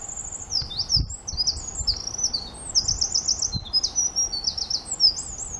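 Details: Eurasian wren delivering a loud, continuous song of very high, rapid notes: piercing whistles and fast chattering trills that tumble on without a break for over five seconds, with faint low rumbles underneath.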